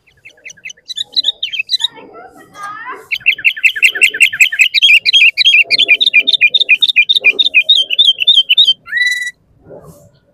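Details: Sooty-headed bulbul in full voice, used to stir other bulbuls to sing: scattered chirps building into a dense, rapid chatter of regular notes, closing with a flat steady whistle, faint low murmuring beneath.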